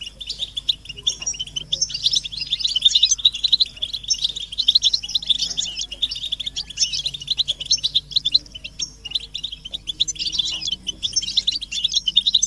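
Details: A flock of European goldfinches twittering together, mating and readiness calls intended to set males singing; an unbroken, busy wash of high chirps, thin whistles and liquid trills throughout.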